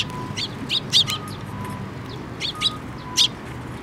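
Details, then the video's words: Sparrows flying in to be fed at a bridge over water by a Tenmangu shrine, 5 May 2024: a handful of short, bright chirps in small bursts, with faint alternating electronic beeps behind. "水上橋で 餌を貰いに飛んで来る雀達"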